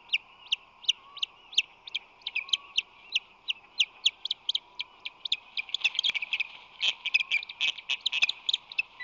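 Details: Osprey calling at a San Francisco Bay nest in late March 2020, while the male brings fish and defends the nest. Loud, high chirps repeat steadily about three per second, then speed into a dense, overlapping chatter toward the end over a constant background drone.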